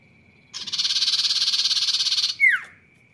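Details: Sirtu in full song: a buzzy, rattling trill of fast even pulses held for almost two seconds, followed by a quick piercing note that drops steeply in pitch, against a constant thin background tone.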